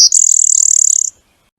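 Blue-winged Warbler giving its thin, high, insect-like song: a short buzzy note, then a longer, slightly higher, rapidly pulsing buzz, about a second in all.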